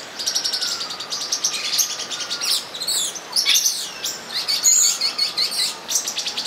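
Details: Olive-green tanagers during mating at São Bento do Sul, Brazil, give busy bursts of high, sibilant chirps and short twitters that overlap continuously, over a faint, steady, low whistle-like hum.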